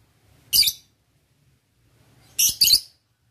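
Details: Male lovebird calling to a rival, used as a lure: two harsh, high, rasping squawks about two seconds apart, the second doubled, in an otherwise quiet room.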